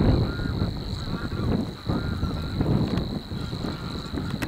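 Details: Savi's warbler (Locustella luscinioides), one of two birds singing at De Onlanden, Drenthe, the Netherlands, on the morning of 22 April 2018: a steady, high, unbroken mechanical reeling that runs through the whole stretch, half buried under heavy rumbling wind.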